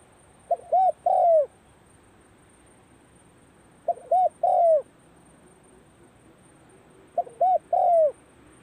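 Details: Spotted dove calling in practice at the start of the cold season, repeating a three-part coo three times at roughly three-second gaps, short, short, then a long downward-sliding note, low and mellow against calm background.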